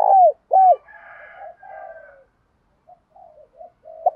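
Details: Decoy spotted dove calling in daily training sessions: two clear low coos open the clip, followed by softer, fainter murmuring coos and brief scattered notes.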